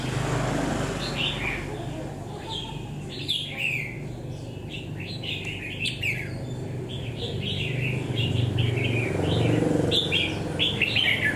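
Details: Red-whiskered bulbul caught from the wild and caged for ten days: a long run of quick, sharp chirped notes, rising then dropping, repeated several times a second over rumbling traffic-like background noise.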